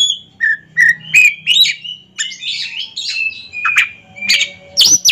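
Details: Oriental magpie-robin in a duel between caged ringed birds: short clear whistles and chips, then harsher buzzy squawks and a high rising whistle, with a soft low hum throughout.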